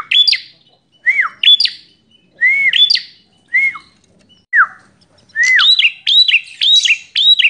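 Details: Wild guest Bar-winged prinia singing with aggressive excitement: lower arched whistled slurs mixed with high sharp phrases, building at the end into a rapid run of ringing high notes.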